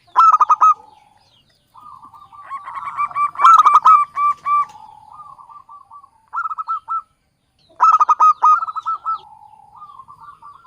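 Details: Javanese local zebra dove lure call for beginner trappers: repeated bursts of loud harmonic cooing notes alternate with soft rolling trills, phrases returning about every three to four seconds.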